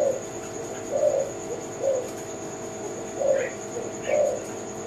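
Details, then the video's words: Tekukur (spotted dove) of the Kelantan type gives low soft coos roughly every second, with brief higher chirps from another bird and a steady high-pitched electronic whine behind. "Kicau Mania - Jenis Burung Tekukur Kelantan"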